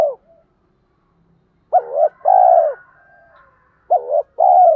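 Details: Spotted dove calls, male and female, to get captive doves cooing: one coo ending at the start, then two full paired coos, each a short wavering note and a longer, slightly descending note, with a faint trailing hum between.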